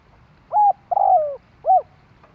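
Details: Spotted dove call meant to lure other doves: a short arched coo, a long rough note sliding down, and a closing rounded coo, low-pitched over faint background rumble.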